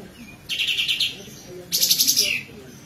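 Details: Kapas tembak bird singing in besetan style, a frequent singer suited as a tutor for magpie-robins and green leafbirds: two loud bursts of dense, rapid, buzzy chatter, the second rippling and ending in a falling whistle, over quiet background.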